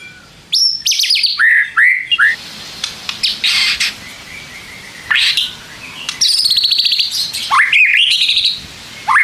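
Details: White-rumped shama song used as a lure to provoke other shamas into responding. Loud, varied whistled phrases with sharp upslurs, downslurs and rapid trilled bursts, sung over a constant hiss of background noise.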